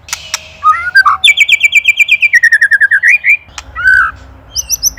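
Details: White-rumped shama song as an Indonesian master recording for songbird training: opening buzzy notes, a fast rattling series of pulsed whistles descending then climbing, a click, then a slurred whistle and high chips.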